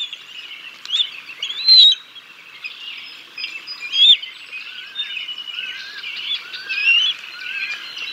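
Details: At the Decorah North bald eagle nest, 6 May 2022, a live camera records the adult male feeding chicks a fish before the female takes over. Scattered squeaky, whistled notes with a few louder rising squeals, about every two seconds.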